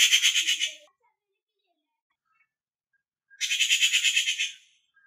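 A Rufous Treepie gives two harsh, rapid rattling bursts, each under a second long and about three seconds apart, with silence between.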